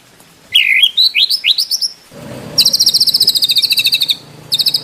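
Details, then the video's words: A white-rumped shama sings a tutor-style song with varied fill. A string of short rising whistles climbs step by step, then breaks into a long, rapid, sharp trill of evenly spaced notes, and a brief trill returns at the end. "MASTERAN MURAI BATU ISIAN MEWAH MATERI FULL TEMBAKAN KOMPLIT TANPA BATUK BATUK"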